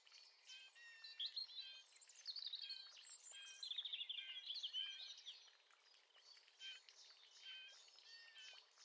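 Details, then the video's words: A male Eurasian blackcap about 30 m away, recorded from a kitchen window beside a sports field, sings a fast, high, chattering warble of tumbling notes, almost without pause. The song is fairly quiet and distant and fades near the end. "Mönchsgrasmücke - Gesang"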